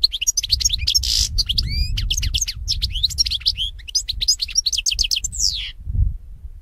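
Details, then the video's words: Goldfinch song for training other goldfinches to sing, a fast liquid jumble of high chirps, tinkling notes and a rising slurred whistle, with low background rumble. "SAKA KUŞU HUYLANDIRMA"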